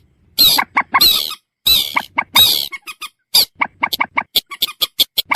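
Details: Common moorhen with long, harsh, grating screeches early on, followed by a fast, irregular series of sharp clucking notes that quicken toward the close.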